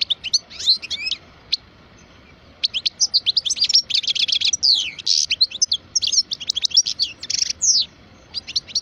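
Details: Twelve-year-old European goldfinch of the parva form, a caged song bird, delivering a fast, varied song of twittering high notes, sweeping slurs and dense buzzy bursts, pausing briefly midway before resuming.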